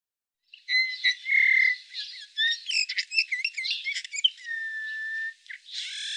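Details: A Eurasian bullfinch in Norway gives soft, low, piping whistles mixed with quiet creaky, squeaky warbling notes.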